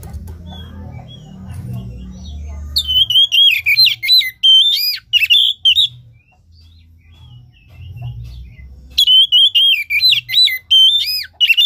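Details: Oriental magpie-robin lure song for stirring a lazy caged bird that has stopped singing and lacks breeding condition: two bursts of loud, high whistled notes with sharp rising and falling slurs in quick runs, a low indoor hum beneath.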